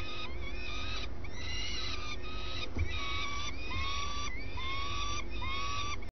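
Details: Swifts at the nest at dawn, with both adults present: a string of rough, scratchy screeching notes, some with an upward twist, over a continuous low drone and a faint knock.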